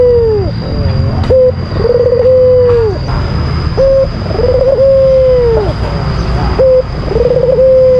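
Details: A white Barbary dove, albino, calls to provoke a rival: three phrases about every two and a half seconds, each a clipped coo followed by a trilled lead-in and a long level coo that droops at the finish; steady high-pitched whine in the background.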